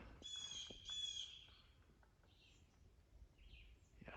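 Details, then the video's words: A woodpecker high in a tree during a forest hike gives two harsh, rasping high calls in quick succession, followed by faint chirps of other birds and soft forest background noise. "it sounds like a woodpecker up there"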